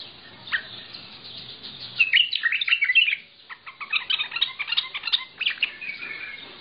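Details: Bulbul of the Mandali type delivering lisanat song, a dense stream of bright chirps and warbling notes strung together without a break, louder in the second half.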